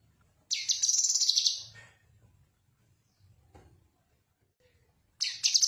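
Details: Cucak kinoi song meant for training other birds: a rich, high, chattering trilled phrase over one second long, then a pause with faint low rumble and a click, then the next phrase starting.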